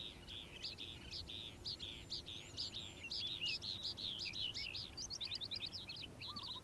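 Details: Calandra lark song in the morning: a dense, scratchy warble of high notes, ending in a fast series of repeated sharp chips, with a soft lower trill near the end.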